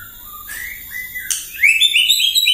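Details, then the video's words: White-rumped shama singing to provoke rivals in the morning: low soft whistles stepping upward, then a sharp high note and a loud rapid string of bright rising chirps. "PAGI-PAGI MURAI AUTO EMOSI MENDENGAR PANCINGAN INI❗ GACOR FULL❗❗"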